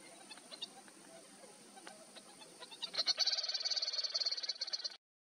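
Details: Least grebe recorded in Cantareira State Park, São Paulo state, Brazil, in March 2024; after quiet background, a fast, high, even trill of rapidly repeated notes runs for about two seconds and stops abruptly.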